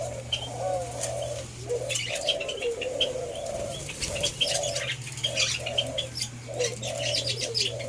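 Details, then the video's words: White-eared brown dove (alimukon) during taming gives low hollow coos in quick runs, broken by brief pauses, with sharp high chirps from other birds and a steady background hum. "TAMING WHITE EARED BROWN DOVE/ALIMUKON PART 2"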